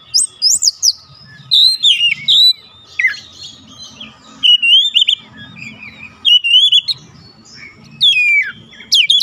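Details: Oriental magpie-robin song used to provoke other magpie-robins into singing: loud, varied whistled phrases, sliding and warbling, in bursts separated by short pauses, with faint low hum beneath.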